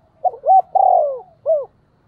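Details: Loud, clear flock call of a spotted dove with a thổ-style voice: a single low cooing phrase of two quick notes, a long drawn-out coo and a brief falling final coo, with little background noise.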